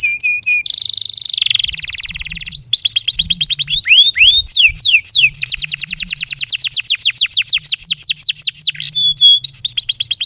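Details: Canary song used to prompt young canaries and silent birds to sing: a long, loud, unbroken canary song with high steady trills, fast repeated rising sweeps and rapid rolling passages, delivered without pause throughout.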